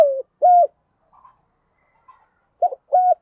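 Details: Spotted dove acting as a decoy to draw in wild doves, giving short level coos with a pause between them and faint soft sounds in the gap.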